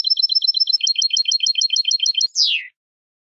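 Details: European goldfinch song played to stimulate birds to sing, in the bitbita style: a fast, even series of bright, high chirps, about three per second at first and then quicker, ending in one sharp downward slur followed by silence.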